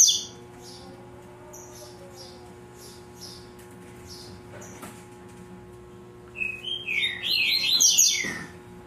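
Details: Double-collared seedeater kept by a breeder, tui tui zel zel song style: faint high ticking notes, then a late burst of rapid, twisting whistled phrases near the end over a steady background hum.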